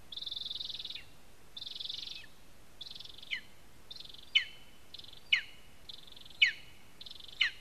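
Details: Lesser spotted eagle at a nest in a spruce, Zemgale, Latvia, on a live nest camera: a run of eight buzzy high calls, the first two long and drawn out, the later ones shorter, each with a sharp clicking drop.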